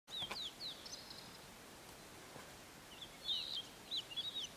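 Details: A blue-and-white flycatcher in mountain forest at Matsunoyama Onsen gives high, clear whistled notes in two short bursts, slurred up and down, with a pause between them over faint background hiss.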